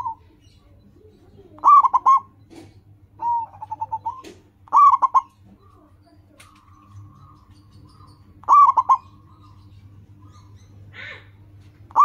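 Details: Local zebra dove in strong voice, its song used to stimulate caged doves: loud phrases of four or five rapid stuttering coos recur every few seconds, with quieter flat trills between them and a low steady hum.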